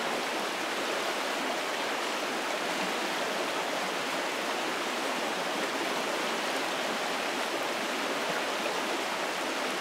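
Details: Only the constant broadband rush of a stream or waterfall, with no animal calls.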